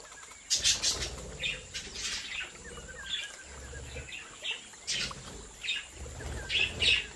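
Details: Budgerigars kept and bred in captivity give a lively run of quick chirps and warbled notes about every half second, some sharp and loud, with muffled thumps and rustling beneath.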